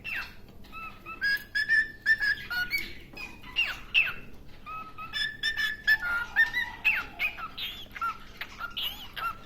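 A cockatiel sings a rambling string of clear whistles, slurred notes and short chirps.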